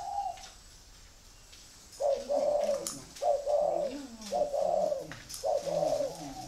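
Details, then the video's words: Red-eyed, grey-legged Spotted dove from Vietnam giving its song indoors: after a short coo and a pause, a run of low mellow coos repeated roughly every second, with soft lower undertones. "chân mốc mắt đỏ giộng thổ bộ khủng"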